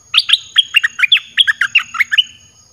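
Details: Lively song of a caged red-whiskered bulbul, used to attract wild birds: a fast, unbroken string of about a dozen bright, fluty whistled notes, each sharply rising or falling, delivered in under three seconds.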